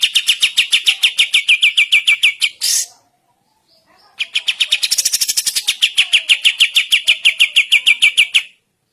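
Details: In the morning, a sooty-headed bulbul sings two long, rapid trills of sharp repeated notes, about three per second, separated by a short silence.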